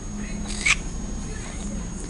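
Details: A pet severe macaw talking, with words such as "hi", "hello", "what" and "knock knock", gives one brief, harsh, voice-like utterance, a quick rasping word with a whistled edge, over a steady low household hum.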